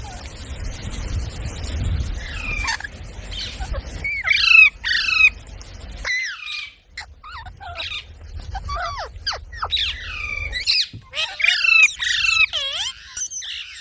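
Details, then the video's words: Parrot described as talking like a human; after a noisy, rumbling start come many varied short notes, some harsh, some whistled and bending downward, scattered irregularly across the second half. "Talking parrot video| Parrot sounds videos Compilation | mitthu mitthu | parrot voice"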